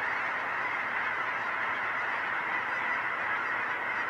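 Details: Large swirling flock of geese at Finley National Wildlife Refuge, dated 10/31/20, giving a dense, continuous chorus of overlapping honks with no pauses throughout.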